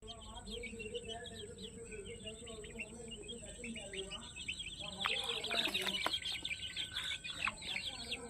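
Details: Many farm-raised chicken chicks offered as young stock, giving rapid high, thin peeps in overlapping rising-falling strokes, dense and continuous, louder and busier toward the end with some clattering knocks; a steady high whine runs throughout.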